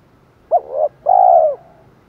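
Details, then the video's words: Spotted dove calling to lure wild birds, 'thổ' style: one clear phrase of a brief clipped coo and a wavering second note, then a longer, louder rounded coo. "chim cu gáy THỔ pha thúc đấu dút chim bổi"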